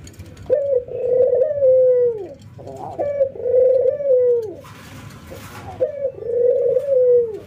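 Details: An albino white ringneck dove versus a local ringneck dove in daily training, nodding and laughing; three deep, rolling coos, each a short lead note then a long falling phrase, with a brief rustling noise between the second and third.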